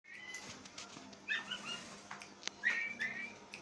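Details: Kept Oriental magpie-robin giving an unusual call that frightens its owner: short whistled notes with harmonics, bent and slurred, in two bursts near the middle and end, over a steady low electrical hum and faint clicks.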